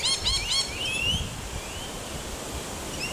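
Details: Rainbow lorikeet recorded at Wattle Park in Melbourne, Victoria, Australia, 11 August 2021, giving a quick burst of three rasping, harmonic-rich notes, then thin rising whistles fading into quiet outdoor ambience.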